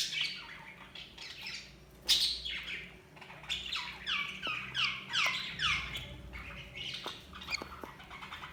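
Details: Budgerigars warbling: repeated downslurred chirps and squeaky chattering phrases in quick succession. A few faint clicks sound between them.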